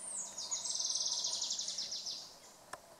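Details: Puerto Rican bullfinch, an endemic forest bird of Puerto Rico, giving a peculiar song: a high thin trill of rapid buzzy notes, starting higher and sliding slightly down, about two seconds long, over a faint noisy background.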